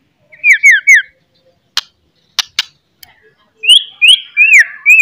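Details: Loud morning song of a white-rumped shama, meant to stir shamas to fight; three downslurred whistles, a few sharp clicks in a pause, then four clear, sweeping whistled notes.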